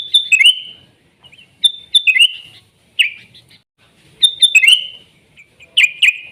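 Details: Natural wild sooty-headed bulbul song: a high clear note followed by a bubbling descending warble, repeated in phrases with short pauses, plus a few soft chips between.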